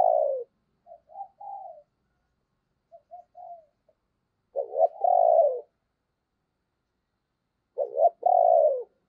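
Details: Spotted dove decoy cooing to stir wild birds: a downslurred hoot and soft notes, then two loud, full coo phrases, each a short note followed by a long, rich coo, about three seconds apart.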